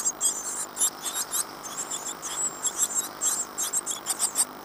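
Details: Great tit nestlings in a birdbox in Falmouth, UK, 14 days after hatching on 25 April 2011, give thin, very high squeaky calls in quick overlapping bursts, several each second, with a faint hiss behind.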